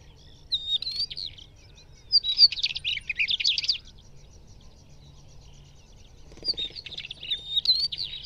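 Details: Scratchy, jumbled warbling song of a Northern wheatear: rapid buzzy and chattering notes packed into phrases lasting one to two seconds, with a long quiet gap between them.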